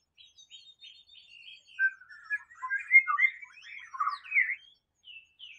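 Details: White-rumped shama in the wild: soft notes build into a loud jumble of quick whistled slurs and twittering, then quieter single notes at the end.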